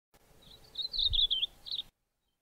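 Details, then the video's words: Yellow-bellied Eremomela in the southern Karoo singing a high, thin, rapid run of chattering notes lasting just over a second, then a brief final flourish, with a faint low bump underneath. "Yellow-bellied Eremomela singing"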